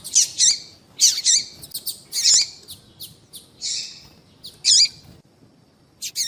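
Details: Female double-collared seedeater calling to attract males; dense, loud high chirps with sliding wavering tones, coming in quick groups of two or three, then a short quieter spell.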